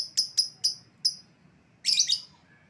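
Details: Calling sound for recovering an escaped lovebird: four quick piercing high chirps, then a brief pause and a harsh, buzzy, chattering screech.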